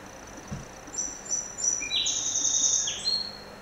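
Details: A song sparrow visiting at a window sings a quick run of high, clear notes, then a long buzzy trill. The background is quiet.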